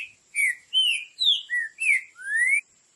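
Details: One full Green-winged saltator phrase of the Tio João Pedro Boi Clássico style: six separate whistled notes, some falling and some wavering, the last a long upward slur, over a faint constant high hum.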